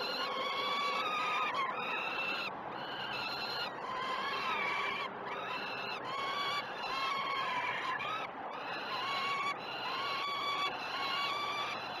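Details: Peregrine falcon chicks at Great Spirit Bluff begging during one of the day's first two feeds, 06:20 on 12 June 2018, on a live nest cam: drawn-out, harsh, harmonic wails that rise and fall, overlapping in repeated bursts with short gaps.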